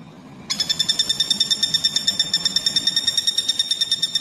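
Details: Common flameback (pelatuk bawang), played as a training recording for magpie-robins and other songbirds: after a brief quiet start, a steady, nasal, rapidly pulsed call sounds about seven times a second, rich and high-pitched, continuing without pause.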